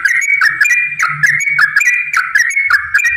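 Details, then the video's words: Yellow-vented bulbul song meant to provoke other bulbuls into singing: a loud, continuous run of bubbling whistled phrases, each ending in a dipping slur, repeated several times a second. "trucukan gacor TARUNG ROPEL PANJANG pancingan trucukan agar bunyi"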